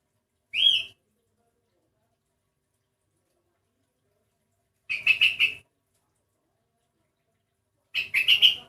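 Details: Sooty-headed bulbul whose song sounds strange compared with the usual: a single upslurred whistle, then after a long gap two short rattling phrases of rapid clear notes, a few seconds apart.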